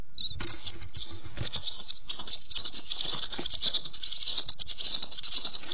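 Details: Three lively Common starling nestlings in a nest box at 10:00 on 26 May 2017, begging in a steady, harsh, wheezy hissing chorus of high rasping notes, with faint soft rustling and tapping below.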